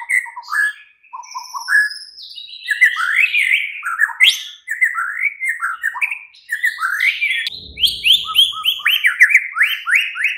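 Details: White-rumped shama night song used to set off a caged bird: a dense stream of upward-sweeping whistles and high chips, ending in quick repeated rising notes.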